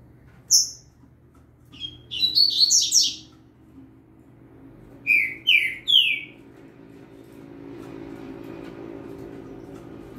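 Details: Young double-collared seedeater, saltator singing in the background: a lone high note, a burst of buzzy chatter, then three slurred descending whistles, with a soft hum rising toward the end.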